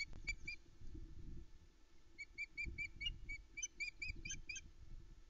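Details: Female osprey on her nest at Loch Arkaig around 5am on 13 July 2019, calling loudly while awaiting the male's food delivery: a faint run of short high chirps after a pause, over steady low wind-like rumble from a nest camera.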